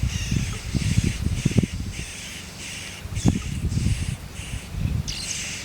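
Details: Nestlings in a nest being fed by a parent bird give harsh, raspy, broadband calls in short bursts, about one to two per second, with low thumps and rustling from movement on the nest.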